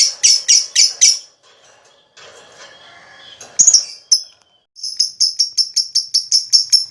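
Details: Lovebird sound used as therapy to prompt other lovebirds to sing, with four harsh chirps, a quiet scratchy gap, a few scattered notes, then a fast run of short high ticks.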